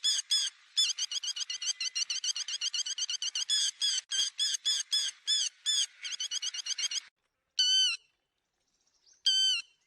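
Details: Lure call of the yellow-wattled lapwing for catching birds in nets: a long rapid train of short, sharp, evenly repeated notes for about seven seconds, followed by two separate loud harmonic calls.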